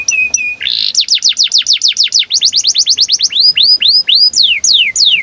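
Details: Canary in breeding condition, in long, energetic song used to prompt and train young canaries: rapid repeated whistled notes sliding downward, then slower looping swept whistles, a continuous high, clear trilling with no other sounds.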